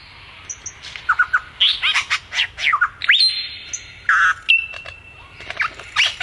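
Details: Bird song made of mixed squawky bursts, quick chirps and clear level whistles, delivered in a busy, uneven stream of notes with brief pauses, with no other sounds.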